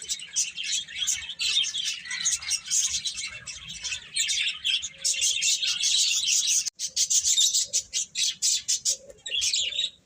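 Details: Lively chirping from a group of birds, with high tweets arriving in clustered bursts, a brief click partway through, then choppy repeated twitter phrases.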